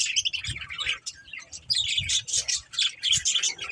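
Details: Bright, squeaky chirps and warbled chatter from budgerigars run almost without pause, with soft low knocks now and then.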